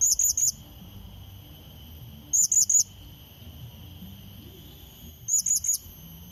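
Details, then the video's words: Blue-crowned hanging parrot calling to lure a rival: sharp, piercing high-pitched notes in clusters of three, each cluster repeated about every two and a half seconds over a steady faint electronic-like hum. "Serindit Pikat Memanggil Lawan | Bunyi Pancingan"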